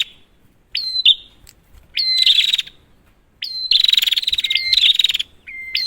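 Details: Prinia calls for luring a silent prinia: scattered short upswept chirps at first, then longer loud buzzing pulsed bursts, with flat whistled notes between phrases.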